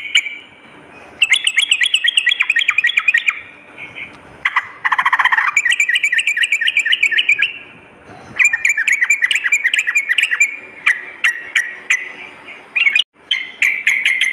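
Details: Sooty-headed bulbul singing vigorously, recorded for morning and night use as a lure: dense, bubbly chattering phrases of rapid, repeated notes, in long bursts of several seconds with short pauses between them.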